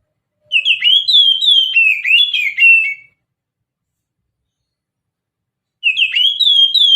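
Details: Lure recording of oriental magpie-robin in mountain style: a lively run of rapid varied whistles with twangy, buzzy accents lasting about two and a half seconds, a long pause, then the phrase begins again.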